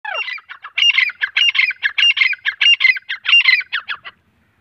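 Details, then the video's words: Grey francolin, known locally as teeter, male and female calling: a brief falling note, then a rapid run of about sixteen harsh, ringing notes over four seconds, ending abruptly in silence. "Teeter voice Teeter sound Grey Francolin voice"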